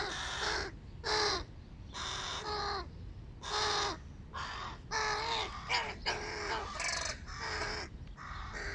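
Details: Giant hooded crow chicks begging for breakfast: a dense chorus of rasping, nasal caws that overlap almost continuously. Several birds call at once, some notes short and others drawn out, with brief wavering squawks in between.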